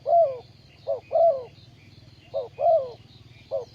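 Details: Caged ground-decoy spotted dove kept for trapping wild birds, 20 April 2020: soft hollow coos in pairs, a brief clipped note then a longer downslurred coo, groups spaced about 1.5 seconds apart, with a constant low background hum.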